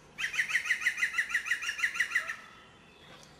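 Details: A European green woodpecker hidden in a tree at Ploufragan, Côtes d'Armor, France, gives its distinctive ringing, laugh-like yaffle, about fourteen loud even notes in two seconds, followed by a brief knock.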